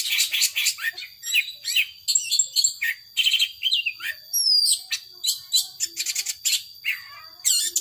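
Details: Long-tailed shrike delivering a varied power sobek song of clipped high chirps, buzzy notes and an occasional rising whistle, in choppy phrases over a continuous faint tone.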